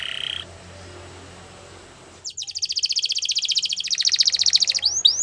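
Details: Young-canary training recording of a Belgian canary: a faint buzzy note, quiet background, then an accelerating high rolling trill of evenly repeated pulses, ending in two upswept notes.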